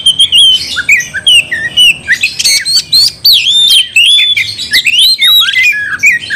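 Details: Oriental magpie-robin singing energetically to make a rival magpie-robin angry and fight: a dense, fast stream of high whistles, twisting slurs and scratchy chirps with almost no gaps.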